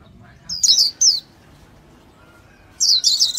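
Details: Two short, high twittering phrases from a Japanese white-eye, then a pause before a louder trilled burst of rapid notes.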